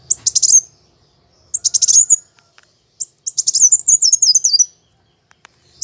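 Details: Vigorous plain sunbird (kolibri wulung) fighting song: three phrases of sharp, very high chips, the last a long wavering squeaky trill that drops in pitch.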